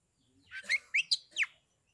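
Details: Caged Oriental magpie-robin from Kebumen, Central Java, in loud 'ngeplong' singing meant to provoke rival magpie-robins to sing and fight; four or five sharp, sweeping chirped notes in quick succession, some rising and some falling.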